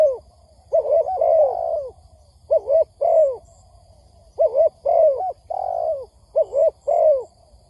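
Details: Spotted dove on a lure recording for trapping, giving gentle rounded coos in pairs and some longer slurred phrases with falling endings, spaced by short pauses. Faint high beeps and a steady low hum in the background.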